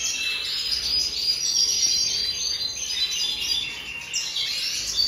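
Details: Busy, high-pitched Red siskin twittering, recorded in the 2023 season, made of rapid chirps and buzzy trills that swell and ease in loudness over about five seconds.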